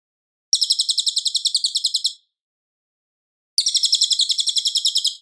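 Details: Clear, strong cililin song meant for tutoring white-rumped shamas: a quick trill of high, even chirps for about one and a half seconds, nearly one and a half seconds of silence, then another similar trill.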